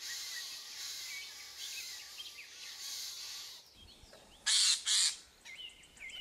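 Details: In spring, two Eurasian jays alarmed by an ornithologist approaching their nest scream, two harsh rasping screeches half a second apart late in the clip, after steady hiss with faint small-bird chirps.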